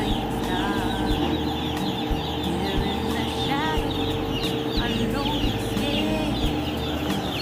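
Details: Broiler chickens in a farm flock, drawn to their keeper and unafraid of people, give a dense, continuous chorus of high rising peeps over a steady low mechanical hum.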